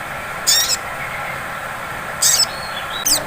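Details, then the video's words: Sunbird (sogon) lure song in the ngleper style, meant to draw out singing. Two loud, high, buzzy bursts are followed by a thin whistled note and a final short chip. "Pancingan SOGON ngleper cocok untuk memancing bunyi SOGON ngriwik"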